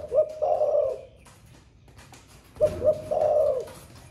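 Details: Caged spotted dove singing the 'thổ pha' style song, newly begun and repeated all day: two low phrases, each of two short hoots followed by a long, rolling, throbbing coo, separated by a quiet gap.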